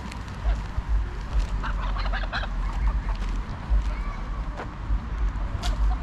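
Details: At Pearson Park in Hull, England, on 22 August 2021, greylag geese give a burst of several harsh, nasal honks in quick succession, then scattered quieter calls, recorded with a GoPro Hero9 over constant low city rumble.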